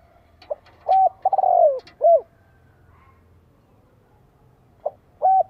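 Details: Spotted dove cooing to stimulate other doves to call back: a few short, low, hollow coos with one longer, falling drawn-out note, then a pause and two more coos.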